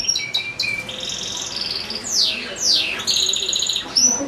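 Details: European goldfinch singing from a cage shared with goldfinch-canary hybrids; sharp high chips, steady buzzy trilled notes and two long downward-slurred whistles, followed by a ringing trill.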